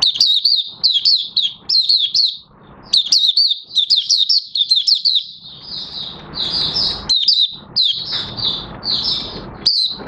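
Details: Oriental white-eye, locally called Mata Puteh Raja, a kept bird starting to sing on 30 August 2022 as its new white feathers finish colouring. High, rapid chirpy phrases of twisting notes come in bursts, with a soft rushing hiss between them.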